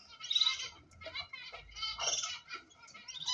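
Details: Ornamental cockatiel giving bright chirping calls in short harmonic bursts, rising and falling, separated by brief pauses over a quiet background.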